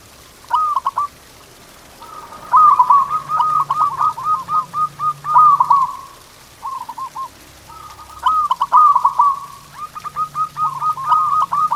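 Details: Long zebra dove singing bout, used as a training recording to excite pet doves: repeated rolling trilled coos broken by runs of short staccato notes, with a steady faint low hum underneath.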